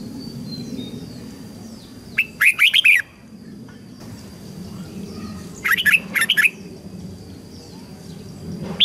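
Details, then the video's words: Red-whiskered bulbul training song used to teach young birds and spur wild-caught birds to sing: two short bursts of quick, bright whistled notes about three seconds apart over steady low background noise. "Chào mào luyện giọng giúp má trắng học giọng hiệu quả, kích chim bổi nhanh hót và căng lửa."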